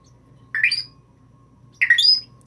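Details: Indoor pet African grey parrot, female, asked to sneeze, answers instead with two short harsh squawk-whistles about a second apart, each rising sharply and breaking off.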